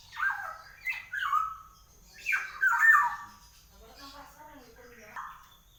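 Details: Black-naped oriole, called golden-yellow kepodang, in full energetic voice: harsh, nasal, squawking bursts that drop in pitch, given in short groups with pauses, then a weaker trailing call near the end.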